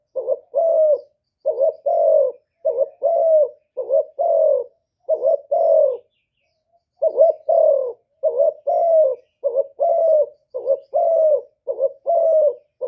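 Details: Spotted dove decoy from Cà Mau luring wild doves: rapid series of low paired coos, a brief pause mid-way, then the short-long cooing phrases resume, with nothing else audible.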